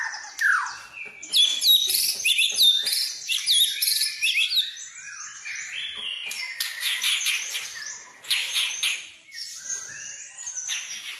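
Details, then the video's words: Dense, high-pitched song of a white-rumped shama used as a lure to set other birds singing, full of fill-in phrases: rapid jumbled chips, squeaks and whistles pouring out with only brief gaps. "pancingan burung murai full isian"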